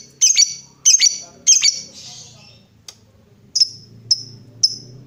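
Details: Lovebird lure sound meant to spur other lovebirds into long trills ('ngekek panjang'): three harsh doubled shrieks, a short pause, then three thinner high chirps, over a soft low background hum.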